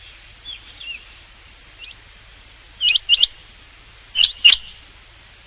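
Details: Rain quail calling for hunting use: faint soft whistles at first, then louder sharp high notes in pairs, the last cut off at the end.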